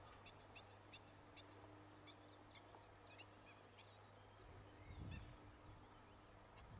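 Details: Young black-winged stilts calling in Gran Canaria in June 2020; a run of short sharp high peeps, busiest early on, then sparser, over a constant low drone and a brief thump.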